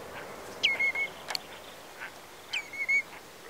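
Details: Red-breasted merganser during acrobatic courtship display gives two thin, high calls about two seconds apart, each a sharp start dropping into a short, level, slightly buzzy note, in quiet outdoor background.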